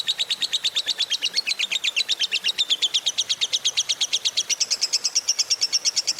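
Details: Fighter lovebird in full ngekek panjang, the long chattering song used to provoke a quiet lovebird into singing: a rapid, unbroken, high chattering trill that runs steadily for over six seconds.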